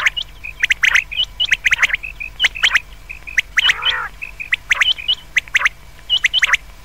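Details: Common quail heard at night, with a busy stream of sharp, high, clipped notes and short twitters from several birds, and one low, rough, buzzy phrase around the fourth second.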